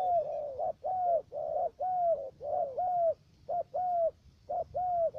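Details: Spotted dove decoy for bird trapping in U Minh, Cà Mau province, Vietnam: loud, clear cooing in a rhythmic series of long slightly falling notes and short notes, about one per second.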